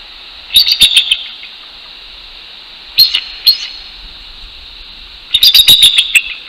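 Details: Male and female bald eagles duetting to proclaim their territory at a northeast Florida nest at 6:48 AM, 12 January 2019; thin, high staccato chirps and giggling squeals in bursts, with a short two-note call between.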